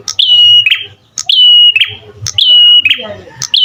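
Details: Prinia singing: each phrase is a clicky onset followed by a pure, level whistle held about half a second, repeated about once a second. Faint low hum underneath.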